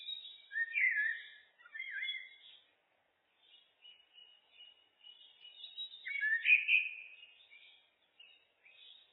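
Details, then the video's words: Common blackbird (Turdus merula) delivering two rich, low fluting phrases with high twittering flourishes, separated by a stretch of soft scratchy notes, against silence. "Blackbird, Turdus merula, birds (looped)"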